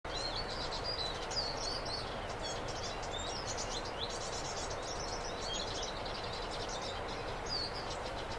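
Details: A pair of European greenfinches, male and female: rapid twittering chirps and short trills, high-pitched and continuous, over a steady broadband background hiss.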